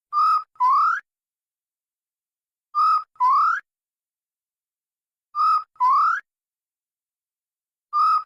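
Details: Grey peacock-pheasant calling loudly and clearly: two-note phrases, a short level whistle then a longer rising one, repeated about every two and a half seconds against total silence.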